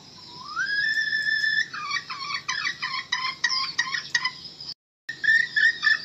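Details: A red junglefowl, in a recording used for trapping wild junglefowl in Điện Biên, crows: a rising drawn-out note, then a quick choppy run of hoarse syllables. A brief cut is followed by a second, shorter crow.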